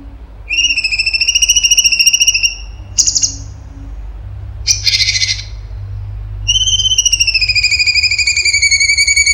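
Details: Lively cucak cungkok giving tembakan song: two long vibrating whistles that slowly descend, separated by short rough, buzzy bursts of notes.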